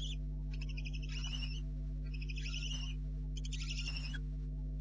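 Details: Night-time barn owl nest with two owlets apparently remaining, 04:30 on 4 July 2013; long drawn-out rasping hisses, overlapping and repeated about every 1.3 seconds, with faint scratching beneath and continuous low hum.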